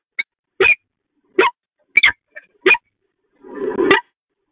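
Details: Peregrine falcons at the Catharinakerk, pair bonding, 19 October 2020: about six short, sharp calls spaced irregularly over four seconds, the last a longer, harsher rasping call.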